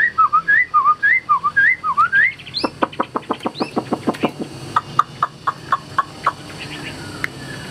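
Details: A caged, tame hwamei gives lower, bouncy rising-and-falling whistles in quick succession, then a long train of crisp clicking taps with faint whistled notes between them.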